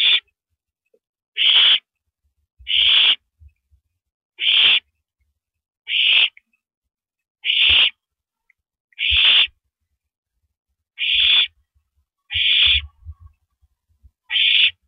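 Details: Night scene at an owl nest, April 9, 2012, 9:14 PM, rabbit prey passed between mates; a steady run of about eleven harsh, hissing screeches, roughly one every second and a half, light knocking beneath.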